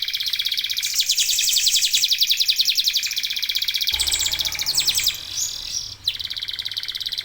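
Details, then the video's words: Local canary used as a lure to make other birds sing: a dense rolling high trill for several seconds, then mixed chatter and rattling phrases with a faint low hum underneath. "KENARI LOKAL GACOR TOTAL, SEMUA IKUTAN BUNYI..PANCINGAN AMPUH BIKIN CEPAT GACOR"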